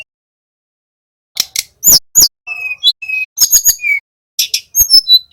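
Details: Caged young male Little pied flycatcher practising its 'ngeroll' trill, played as a lure for other songbirds: after a second of silence, sharp clicks, high rising whistles, flat mid-pitched whistles and brief buzzy bursts follow in quick succession.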